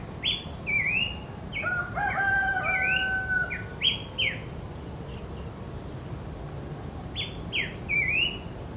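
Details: Wild bush babbler singing at night-free open habitat: clear whistled notes, some falling and some rising with hooked ends, delivered in short irregular phrases with pauses, plus a brief steady whistle pair; constant insect hiss and low background rumble.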